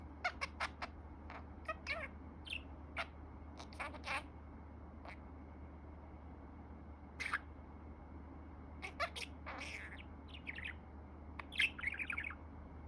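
A budgerigar chatters in short scratchy bursts and bright chirps, trying to mimic words.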